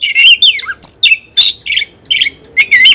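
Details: Oriental magpie-robin in a vigorous singing duel: loud, closely spaced whistled phrases, slurs and harsh chirps, about three per second, steady and energetic throughout.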